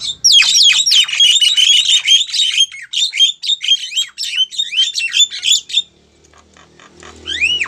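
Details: Javan myna female calling for a male, used as a lure: rapid, harsh, scratchy chatter with whistled notes for about six seconds, then near silence and one rising, then falling whistle at the end.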